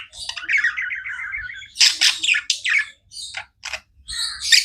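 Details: Budgerigar opens with a wavering warbled chirp sequence, then gives several sharp, loud squawky bursts with short gaps between them.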